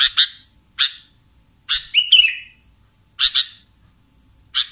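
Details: Sooty-headed bulbul calls recorded as a lure for catching bulbuls: short harsh chirps, often doubled, repeated at uneven intervals of about a second, with one drawn-out buzzy note, over a steady faint high tone.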